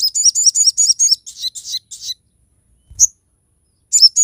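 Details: Crested jay singing sharp bursts for use as a master recording and a lure: a fast run of twittering high notes, then three rougher buzzy phrases, a pause, one lone chirp and a final pair of notes.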